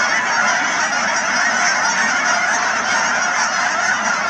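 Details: Thousands of Canada geese at Cheam Wetlands, BC, produce a loud, uniform chorus of many honks layered together, steady from start to finish.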